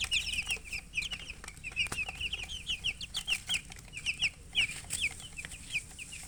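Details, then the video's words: Chicken chicks peep in a regular chorus: clear, high, falling chirps repeated several times a second, pulsing evenly throughout, with occasional clicks. "Baby "Chicks Chirping" Sound"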